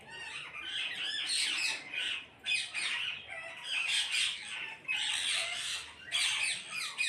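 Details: Parrots calling as a flock, with dense, loud, raspy screeches in near-continuous clusters and brief pauses around two and a half and five seconds.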